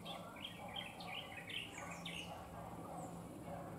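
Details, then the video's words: Bronzed drongo perched on a wire gives a quick run of sharp, chirpy whistled notes in its first half, then a few fainter high notes, with a constant low hum underneath. "Bronnzed drongo sings beautiful line wire"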